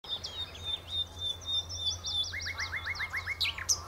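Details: Common nightingale singing at the Horsmeertjes on Texel: varied high whistled notes, then a fast run of repeated rising notes, about seven in quick succession, ending with sharp high notes over a steady low hum.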